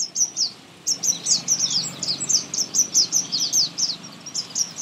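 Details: Sunbird singing in a garden in India, a loud, sweet, high-pitched song like musical notes: rapid descending twittering notes in quick bursts, nearly continuous.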